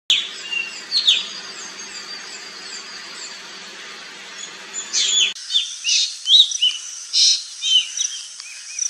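Black drongo giving sharp, metallic chirps and short whistled notes at an irregular pace, over a steady background hiss that drops away midway.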